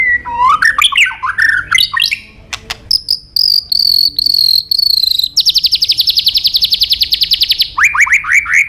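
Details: White-rumped shama song used as a training model for songbirds: varied whistled phrases, rising and falling slurs, then a long rapid buzzy trill followed by quick descending whistles, with low background hum.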